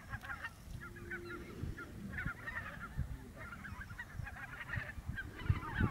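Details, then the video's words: Lesser white-fronted geese at Camperduin in the Netherlands, a busy flock giving rapid, squeaky yelping calls in overlapping bursts, set against steady low wind rumble. "Lesser White fronted Goose"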